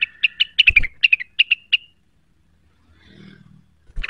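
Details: Cucak wilis song, the bird eager for an opponent: a tight volley of bright chirps and slurred whistles fading into spaced single notes, then quiet with a low hum and a closing chirp.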